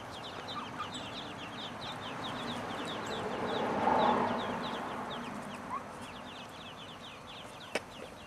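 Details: Ducklings give a rapid, steady run of high, thin peeps, roughly three a second, over a constant background hiss. A louder broad murmur swells near the middle, and a few sharp clicks stand out near the end.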